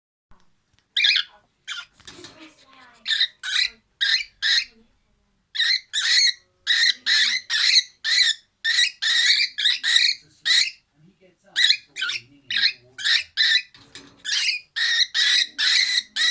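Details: A cockatiel, deliberately made angry, gives its "dinosaur" noise: a rapid series of harsh, raspy, screechy bursts, each lasting a fraction of a second.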